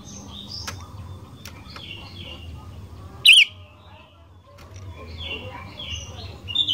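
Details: Sooty-headed bulbul song used to get other bulbuls singing: one loud quick bubbling phrase midway, surrounded by softer twittering and chirps of other birds.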